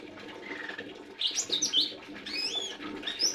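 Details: Lesser green leafbird in a busy run of high, squeaky whistles and looping slurred notes after a soft lower whistle at the start.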